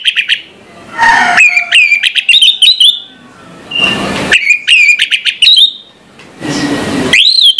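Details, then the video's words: An orange-headed thrush sings in the morning, short sets of quick whistled and trilled notes rising and falling, separated by loud bursts of hissing noise. "suara anis merah plong pagi hari"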